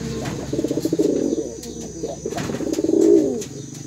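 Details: Male domestic pigeon of blue-silver colouring calling eagerly to a female: two rolling, pulsed low coos, each swelling and ending in a throbbing drawn-out note, with faint clicks behind.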